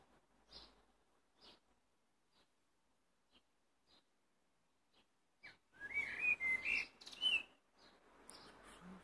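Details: Blackbird song that opens with a few soft, spaced clicks, then a rich mellow warbling phrase, followed by scratchy high-pitched twittering notes.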